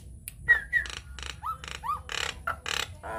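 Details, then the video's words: A Nias hill myna sings a lure recording to draw song from other mynas. The song mixes short whistles, nasal falling notes and buzzy, grating rattles, delivered in uneven bursts roughly four per second. "PANCINGAN / MASTERAN JALAK NIAS GACOR, TEMBAKAN DAHSYAT"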